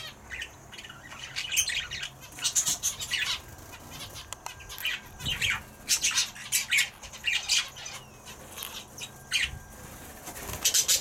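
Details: Turquoise parrots: while the female briefly leaves her eggs, the male immediately feeds her, with soft, high, squeaky chattering notes in quick irregular bursts and some wing flutters.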